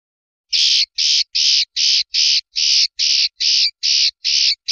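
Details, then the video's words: Swiftlet, recorded for training songbirds: a series of harsh, hissing, buzzy bursts, each about a quarter second long and spaced evenly, roughly two per second, with nothing else audible. "MASTERAN UNIK BURUNG LINET"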